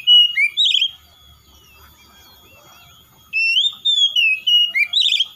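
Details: [0]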